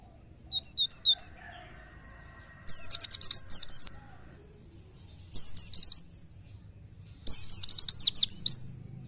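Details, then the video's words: Oriental white-eye gives high, thin, rapid twittering bursts about a second long, repeated at intervals after a few soft opening chirps. "MASTERAN PLECI NEMBAK NYEPEED"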